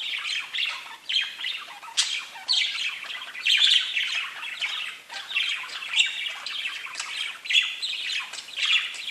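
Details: Pet budgerigars chirping: a dense, continuous chatter of scratchy warbles and short squawks, with bright chirps popping out roughly every second over a busy background of overlapping voices.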